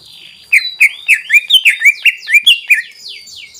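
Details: Greater green leafbird in vigorous song meant to rouse rival leafbirds: after a soft start comes a steady string of clear, slurred whistles, each briefly rising then falling, roughly four per second.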